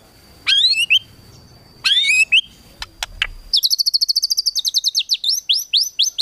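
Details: White-rumped shama song filled with 'tembakan' phrases for training competition birds: two loud, complex rising whistled phrases over faint background rumble, some separate clicks, then a long, fast, machine-gun series of high sharp notes.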